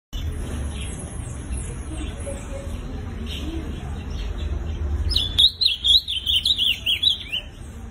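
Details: Low rumbling background noise fills the first five seconds; then a captive Ultramarine Grosbeak in Campo Grande, Rio de Janeiro, bursts into a quick, high, warbled phrase of sweet slurred whistles.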